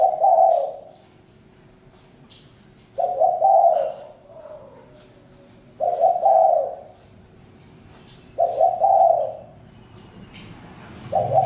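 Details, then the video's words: Spotted dove calling steadily, four low, rough cooing phrases spaced roughly every two and a half to three seconds, some trailing into a softer final note, with faint clicks between. "Chim cu gáy-Đam mê tiếng chim cu"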